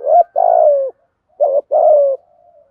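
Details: Decoy spotted dove in thúc gù style, deep thổ sấm voice, giving two paired coos, each a brief note then a longer buzzy falling coo, ending with a soft trailing tone.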